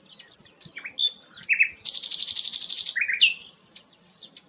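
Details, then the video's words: Sikatan londo flycatcher in full song: a few scattered thin whistles and slurred notes, then a loud, fast, even rattle of high buzzy pulses for over a second, closing with descending slurs and faint tweets. "burung sikatan londo gacor"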